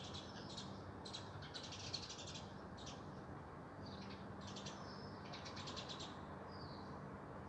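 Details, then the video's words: Spring birdsong: fainter bursts of high, rapid chirping trills and short whistled notes, separated by brief gaps, over a low background hum. "Birds Singing and Chirping Merrily"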